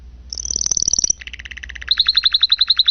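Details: Canary singing a lively, tutoring-style song: a fast, very high trill gives way to a steady buzzy mid-pitched rattle, then a string of bright repeated high chips about eight per second.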